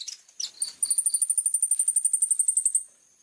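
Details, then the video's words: Softer phrase from a plain-throated sunbird, locally kolibri ninja: a few high chips, then a very high, even trill of about twenty quick notes lasting two seconds before fading. "KOLIBRI NINJA GACOOR FULL TEMBAKAN TAJAM||suara jernih"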